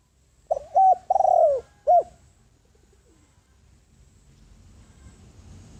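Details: Lure spotted dove cooing to attract wild doves: one phrase of soft hollow coos, a doubled note, a long sliding descending coo and a sharp final coo, followed by quiet with low background rumble.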